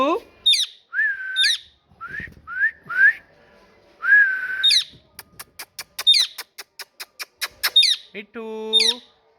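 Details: Parrot calling indoors: upward-sliding whistles and short chirps, then a fast train of dry clicks mixed with high chirps, ending in a lower, buzzy, voice-like note.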